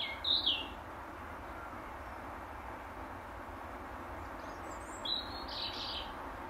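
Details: Territorial song of a European robin perched on the same apple tree branch at dusk; a brief high, sweet phrase at the start and another thin warbled phrase about five seconds later, with constant low rumbling noise throughout.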